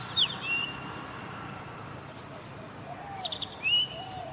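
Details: Zitting cisticola, heard rather than seen: a quick cluster of high ticks, then a thin upslurred whistle. The pair comes at the start and again near the end against a steady hiss.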